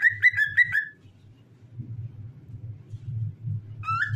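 A cockatiel sings a quick run of clear, bouncing whistles, then adds one more after a pause.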